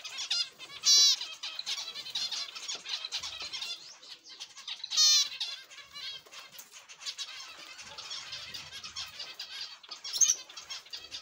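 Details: Zebra finches in an aviary give dense, continuous high chirping and twittering from several birds. Two louder, nasal, harmonic calls stand out near the first and fifth seconds, with soft wing flutters between.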